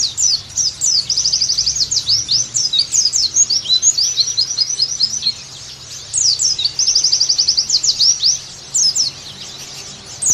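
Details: Oriental white-eye song used as a training recording to get caged birds singing actively again: bursts of very high chirping and rapid trills, broken by two quiet pauses near 5 and 9 seconds.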